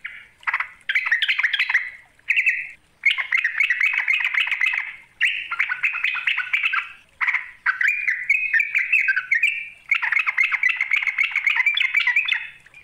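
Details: Sooty-headed bulbul calling to a rival, played as a lure: loud, continuous bursts of harsh, bubbly chattering notes in several long runs separated by short pauses, with a brief whistled phrase sliding upward near the end.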